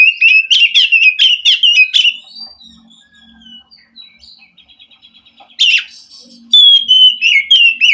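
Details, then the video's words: Wild Oriental magpie-robin from the forest, answering and rousing a captive bird reluctant to sing: quick loud rising whistles repeated several times a second, a quiet pause with soft notes, then more strong whistled phrases. "Suara Kacer asli hutan mampu merespon Kacer yang malas bunyi Kacer macet"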